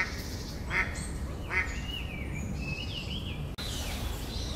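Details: Mallard, male or female, gives two short harsh quacks about a second apart, followed by thin high twittering whistles from other birds over a steady background hiss.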